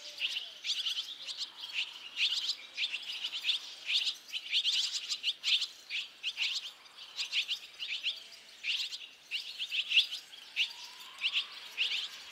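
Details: Barn swallow chicks fledging: five young left the nest within two and a half minutes, urged on by fledglings from other nests. A busy chorus of sharp, high twittering chirps overlaps continuously in bursts from several birds.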